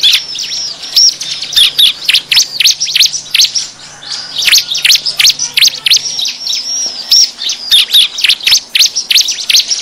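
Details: Bar-winged prinia lure call meant to draw wild birds: a noisy, continuous stream of sharp high chirps and twittering, with brief whistled notes mixed in throughout.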